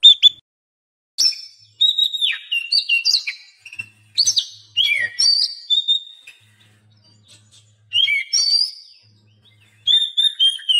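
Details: Masteran of Oriental magpie-robin song, meant to coax lazy caged birds into singing: bursts of clear whistled slurs and chips, high and varied, separated by short pauses, with a faint low hum.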